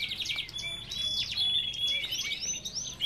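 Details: Belgian canary song from an aviary, a dense run of fast high trills, slurred whistles and sweeping notes sung without pause, several birds overlapping.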